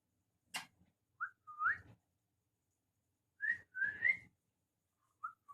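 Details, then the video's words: Pet parrots kept at home, two birds, giving short whistled notes, some rising and slurred, in brief bursts separated by pauses, with faint rustling and handling noises in a quiet indoor room. "Parrot voice...."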